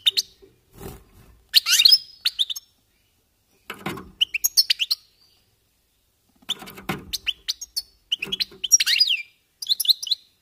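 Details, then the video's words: European goldfinches warming up in scattered bursts of jangling twitters and buzzy notes, separated by silences, with soft low knocks under some phrases. "jilgueros calentando motores"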